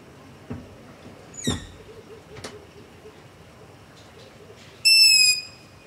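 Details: At night close to a house, long-eared owl begging: a faint high squeak early on, then one loud, shrill, sustained screech near the end, with soft rustling noises, recorded on ZOOM H5 and LOM Usi Pro.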